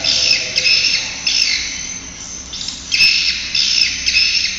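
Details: Swiftlets give dense, high, scratchy twittering in rapid bursts, swelling and fading about every second or two, with a faint hiss beneath; a swiftlet-house sound-system recording.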